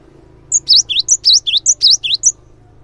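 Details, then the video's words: Cinereous tit singing as a lure to make other tits join in. Bright, high, whistled notes alternate quickly in repeating three-note groups for about two seconds over a soft low hum. "GELATIK BATU GACOR | SEKALI PUTAR SEMUA GELATIK LANGSUNG IKUT RAME"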